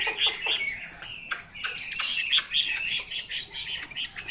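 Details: Chinese hwamei giving a harsher, choppy series of loud chirps and squawky notes mixed with sharp whistles, repeated in uneven bursts.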